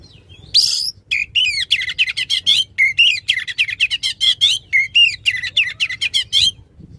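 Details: Oriental magpie-robin in full loud song, meant to coax a magpie-robin that has gone quiet: a scratchy buzz opens a long stream of crisp chirps, upslurred whistles and rattling notes, fast and varied throughout.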